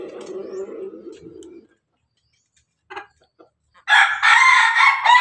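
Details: Pelung chicken rooster, described as a Pelung Bangkok, feeding together with hens; after soft low clucking and quiet gaps, a loud, harsh, drawn-out crow starts near the end and runs until cut off.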